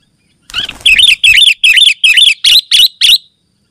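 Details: Sooty-headed bulbul in continuous, dense song, used to call other bulbuls and wild birds in forest and as a tutor for caged birds: seven bright, chirping, wavering notes in quick succession, about three a second, clean background.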